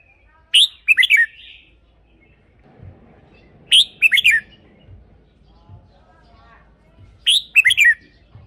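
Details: Red-whiskered bulbul, song for decoy use or to excite caged birds: a crisp four-note whistled phrase repeated three times, roughly every three and a half seconds, with faint rustling in the pauses.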